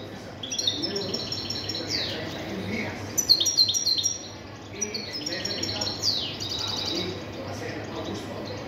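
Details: European goldfinch song: bright, fast twittering phrases of high tinkling notes and buzzy downward slurs, in bursts separated by short pauses, with a quiet low hum underneath.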